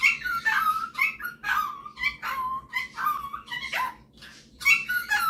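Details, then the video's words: Pet male superb parrot showing off its singing and mimicking indoors: a run of clear whistled notes and harmonic chirps, several sliding down in pitch, in bursts separated by brief pauses. "Superb Parrot Malibu showing off his singing and mimicking skills"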